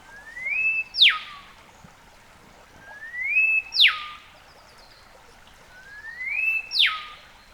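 Olive Whistler giving three clear whistled phrases about three seconds apart, each a rising note then a sharp up-and-down whip-like slur, with faint background hiss.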